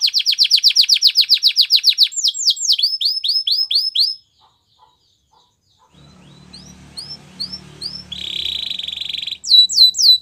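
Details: Gloster canary training song: a rapid high trill, then slower falling chirps, a silent pause, faint notes with background rumble, a flat buzzing trill and a final burst of sweeping chirps.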